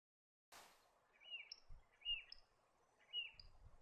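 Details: Leaden flycatcher calling: three short, slightly buzzy notes, each with a higher thin tick before it, spaced about a second apart. The calls are faint over steady background hiss, with a brief handling knock at the start.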